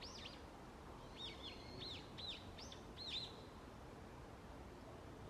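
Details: On an autumn early morning in woodland, wild birds utter a short series of high, arched whistled chirps, several in quick succession, then fall quiet, with steady background hiss throughout.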